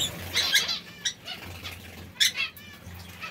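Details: Feeding zebra finches, pecking seeds and salad, give a handful of brief nasal, trumpet-like call notes in irregular bursts against a low humming background.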